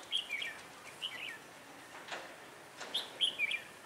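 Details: Red-whiskered bulbul used as a decoy for trapping on a cold, windy day, 16 December 2017; faint chirpy warbled phrases in two groups, heard through steady background hiss.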